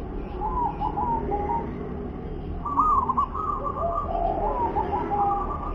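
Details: Wer-ke-te-pek song of a local zebra dove: a quiet cooing phrase, a pause, then a louder rolling, stuttering coo sequence with trills, amid a steady low rumble.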